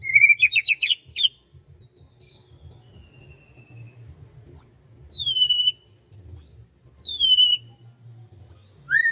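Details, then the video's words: Morning birdsong over rice fields: an opening burst of fast rising trilled notes, then a thin, level whistle and several loud, sharp downslurred whistles spaced about a second apart, ending on a rising note, with a soft low hum behind. "SUASANA PAGI DI SAWAH SAMBIL DENGERIN KICAUAN BURUNG"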